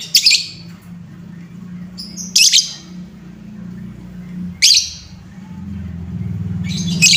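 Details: Lovebird sounds for stirring up other lovebirds: four harsh, high screechy chirps about two seconds apart over a steady low droning hum.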